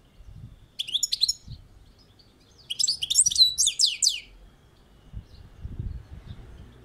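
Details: Balcony-kept European goldfinch (saka kuşu) giving its song: a short twittering burst, a pause, then a longer run of rapid, high, jangling and chattering notes, with faint low rumbling underneath.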